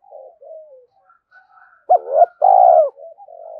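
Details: Rapid 'thúc gù' coos from a spotted dove, played to rouse other doves: quiet low murmuring notes lead into two quick hollow notes and a long, loud, falling coo, then soft trailing sounds.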